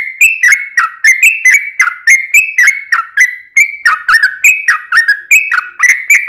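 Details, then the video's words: Lure recording of a trucukan, the yellow-vented bulbul, in long rapid song: an unbroken string of quick liquid whistled notes, each with a short downward flick, roughly four per second. "trucukan gacor ROPEL PANJANG"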